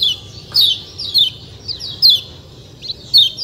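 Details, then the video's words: Kecial kuning white-eye giving "ciak ciak" notes: separate short, piercing, downward-sliding chirps roughly every half second to second, against a steady low hum. "ciak ciak jos kecial kuning suara alam"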